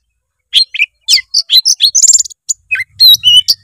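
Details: Oriental magpie-robin in full song packed with mimicry, meant to lure a lazy bird into singing; rapid varied whistles, chirps and trills tumble together after half a second of quiet.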